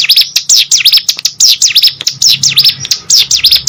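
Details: Caged hill prinia singing vigorously, a quick series of piercing high notes that swoop down and back up, grouped in short rapid bursts with scattered clicks.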